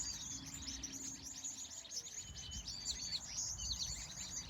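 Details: Sunset birdsong in California in the evening: busy, overlapping high chirps and short sliding whistles from several birds, with a low rumble behind.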